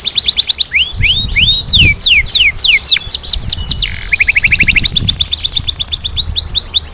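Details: Caged canary delivering a vigorous 'ngerol nembak' style song: fast rolling trills of sweeping whistled notes, repeated rapidly, then a lower buzzy roll before high sharp repeated phrases resume.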